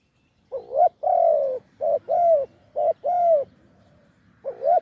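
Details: Deep-voiced wild spotted dove calling at a branch decoy in off-cue style. Clean, loud coos: a quick rising note then a sustained falling coo, three phrases after a brief silence, with a fourth starting.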